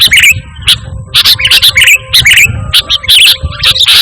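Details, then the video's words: Vigorous pure song of a sooty-headed bulbul, used to call birds and train pet birds: bright chirped notes in short clustered bursts, repeated with brief gaps, over faint background rumble. "Suara Burung Kutilang Gacor Tanpa Isian"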